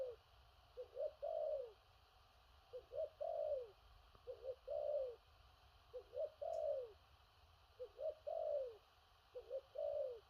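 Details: Spotted dove, in the "thổ rặc" cooing style with far-reaching coos. Six evenly spaced phrases of two quick rising notes and a falling coo repeat roughly every one and a half seconds above constant background hiss.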